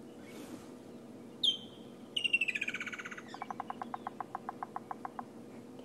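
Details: A woodland kingfisher at Sabi Sand at sunrise, 12 February 2016, on a cold, somewhat rainy morning, gives one sharp high note, then a loud trill falling in pitch and slowing into separate pulses; a woodpecker taps nearby, faint low rumble.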